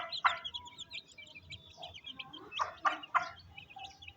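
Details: Mother hen feeding her chicks on a rainy day in a Pakistani village; short broadband clucks in a quick cluster of three near the end, over constant high chick peeping and soft rain-like background noise.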